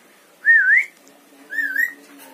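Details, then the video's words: Javan myna that mimics words and whistles: two wavering whistled phrases, the first loud and the second softer, about a second apart, with a low steady hum underneath. "Jalak kebo pandai bicara"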